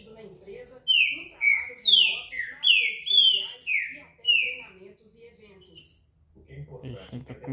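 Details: Green-winged saltator, the trinca-ferro, in repeater song: a burst of about seven clear, loud whistled notes, each gliding down in pitch, evenly spaced, followed by a pause as a news broadcast voice carries on in the background.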